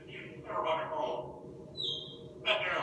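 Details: Pet African grey parrot said to know Aerosmith and love guitar, talking in a speech-like voice: two short worded bursts, a brief thin whistle, then another louder spoken phrase.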